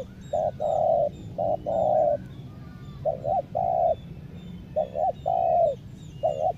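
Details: A decoy spotted dove used to lure wild doves coos low and mellow in repeated phrases, a short note or two then a longer rolling coo, about every 1.5 seconds; faint small birds chirp behind.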